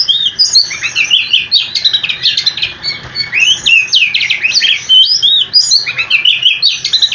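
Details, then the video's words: Oriental magpie-robin singing a long rolling stream of notes to draw replies from other magpie-robins: fast clustered whistles, steep rising and falling sweeps and scratchy bursts, packed tightly with almost no gaps. "Kicau Kacer super ngerolllll abis dijamin kacermu langsung nyaut"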